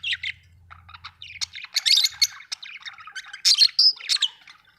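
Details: Budgerigars kept at home give quick chirps and squeaky warbled notes, uneven and rising in loudness toward the end, over a faint low hum at the start.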